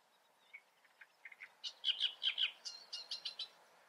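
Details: Great reed warbler in the Eifel, Germany, singing a rough chattering phrase: quiet clicks at first, then loud grating double notes and a quick run of raspy syllables, in a quiet setting.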